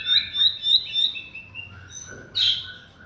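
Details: Bar-winged prinia singing as a lure for silent or sluggish birds: quick, evenly repeated high chirps, then softer drawn-out notes and one sharp, loud buzzy burst near the end.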